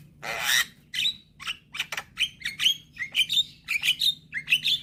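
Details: Young Javan myna singing persistently as a lure for mynas that will not sing: a harsh hissing squawk, then rapid scratchy notes and bright rising whistles repeated about every half second.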